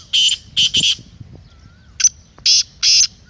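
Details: Kala teetar, the black francolin, calling in a recording played to a kept bird to make it call. The end of one scratchy three-note phrase is followed by a fresh phrase of a short note and two loud grating notes.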